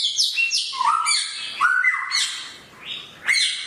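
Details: Samyong bird with a sharp, piercing voice: loud whistled notes that slide downward in steps, from high sweeps to a lower flat whistle, in phrases of about one second, with a bright final note.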